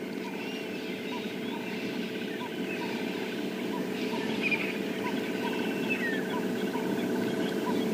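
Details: Ring-necked Doves at sunrise on a cold August 26 morning call in full dawn chorus, one of the loudest in months, with dense, rhythmic repeated cooing phrases and other birds over a steady low engine hum.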